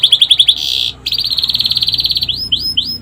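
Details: Caged canary singing a song filled with flycatcher mimicry, kept as a model for training birds: fast high rattling trills, then a buzzy sustained note, a longer rapid trill and a few upslurred whistles at the end.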